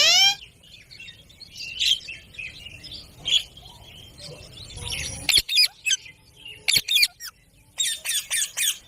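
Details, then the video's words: Indian ringneck parrot in a village ground: an opening rising screech, then scattered short chirps, and finally rapid clusters of sharp, high squawks in quick bursts. "mitthu ki awaz"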